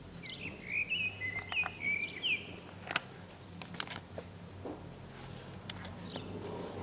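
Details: Blackbird singing from a rooftop antenna in San Martín, Zamudio, Bizkaia, mid-April 2019: a sweet warbled phrase in the first two seconds, then scattered sharp ticks and faint distant bird chirps over low background hum.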